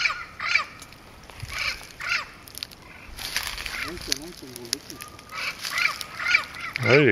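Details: Turquoise-fronted amazon at Pouso Alegre, Pantanal, Brazil, September 2013: a series of harsh, raspy squawks, broken mid-way by a man speaking French, then further grating calls, ending in a louder, lower squawk.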